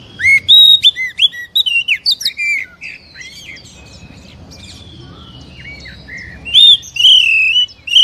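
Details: Kacer, the Oriental magpie-robin, singing in a stimulation recording for captive birds: rapid bursts of sharp chirps and whistled slurs at the start, softer scattered notes in the middle, then loud bright phrases again near the end.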